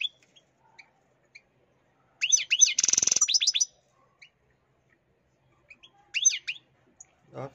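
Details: European goldfinch said to be angry, uttering a rapid chattering string of twittering call notes, broken by a loud rattling scuffle mid-burst, then silence, scattered single ticks and a shorter chattering burst near the end.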